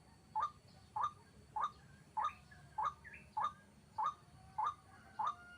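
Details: White-breasted waterhen calling during a trapping session with a hanging snare trap: evenly spaced, short, sharp notes that rise in pitch, nine in under six seconds, against a low rumble.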